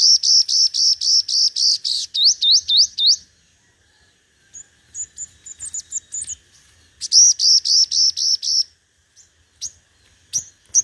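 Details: Decoy five-coloured sunbird ('hút mật 5 màu') singing in contest: long, very rapid trains of shrill, buzzy, high notes, then a few sweeping upslurs, sparse twitters and another fast trill, all closely spaced.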